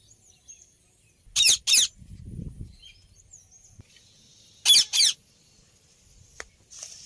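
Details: Rose-ringed parakeet calling in two paired bursts of shrill, grating screeches, each pair quick and close together, separated by a few seconds of quiet with faint high background chirps and a brief low rumble.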